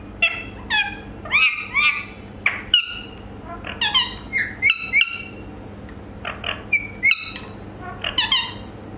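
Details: Talking Indian ringneck (rose-ringed) parakeet chatters in quick, high, squeaky syllables with rising and falling inflections, some bursts sounding like mimicked words, over a low indoor hum.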